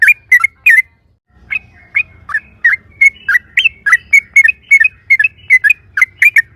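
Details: Yellow-vented bulbul recorded as a lure to make other birds sing: a few sharp chirps, a brief silence, then a regular series of clear, whistled notes, some rising and some falling.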